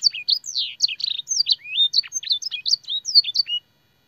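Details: Canary with a clear voice performing a training song with blackthroat and sanger phrases; choppy bursts of high slurred whistles, buzzy chirps and rising sweeps, stopping abruptly into quiet near the end.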